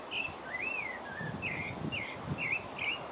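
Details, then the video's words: Singing pale-breasted thrush, French Guiana: clear fluty whistled phrases, arched and wavering, about two each second, with a faint low rumble in the background. "Pale-breasted thrush (Turdus leucomelas) - singing"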